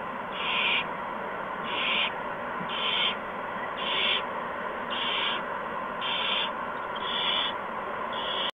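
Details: Owl nest with owlets receiving a mouse and a gopher from adults, 8 PM, March 13, 2015; a steady series of eight breathy rasping hisses, evenly spaced roughly once per second, over continuous background noise.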